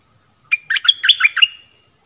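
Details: Stripe-throated bulbul song from a decoy session on 1 April 2021, where a caged bird drew wild birds that came near but would not come down, likely tending chicks in a nest. One bubbly burst of quick, chirpy, warbled notes lasting about a second, in a quiet background.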